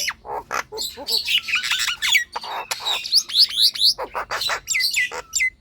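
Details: Lively Nias hill myna song used as a trigger for lazy caged birds: harsh broadband bursts mixed with bright rising whistles, a quick series of upslurred notes near the middle.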